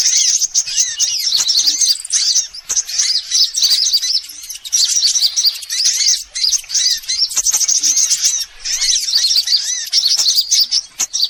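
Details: Sunbirds of several kinds, a lure recording meant to attract birds: a dense, continuous chorus of thin, very high twittering chirps, with repeated short arched slurred notes beneath and brief pauses near three and nine seconds.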